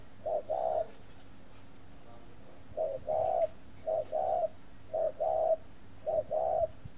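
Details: Spotted dove kept in a cage for breeding in Ba Vì, Hanoi, delivering two-part coos in clear pairs, a brief clipped note then a drawn-out one, with short gaps between pairs.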